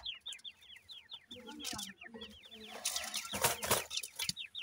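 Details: Grey francolin chicks being cared for by their parents give an even stream of high, falling peeps, roughly four each second, with soft low clucks and rustling partway through.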